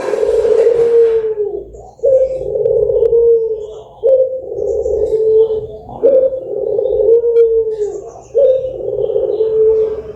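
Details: Melodious Barbary dove cooing meant to spur other birds to sing, a series of drawn-out, mellow low coos, each starting with a sharp onset and sagging in pitch, repeated about every two seconds; faint hiss at the start.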